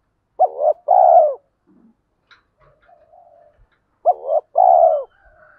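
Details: Spotted dove used as a caller bird to stimulate other doves, giving two low cooing phrases, each a short wavering coo then a longer mellow coo, spaced about four seconds apart in a quiet setting.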